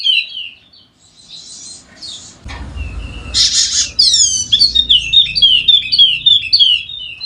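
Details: Golden-headed Wallacean white-eye from NTB, played to make lazy birds sing: soft high notes and scratchy bursts with low rumbling, then an energetic sequence of rapid, bright descending chirps.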